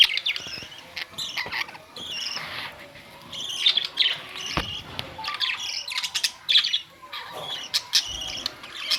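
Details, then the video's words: Several budgies, May 2, 2023, chattering with quick high chirps and rasping squawk notes, closely spaced and uneven, with occasional clicking knocks. "Budgies parrots"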